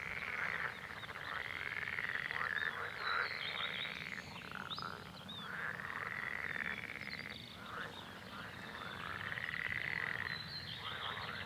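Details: A pair of Red-necked Grebes in spring, during the mating and chick-rearing season. Loud, wailing, harmonic calls arch up and down in repeated phrases, broken by buzzy pulsed braying and rattling notes, with faint calls in the background.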